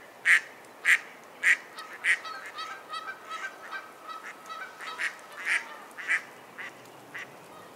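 A Mallard gives loud, harsh quacks about twice a second, then a run of softer, quicker quacks, then several loud ones again. A faint steady tone sounds in the background.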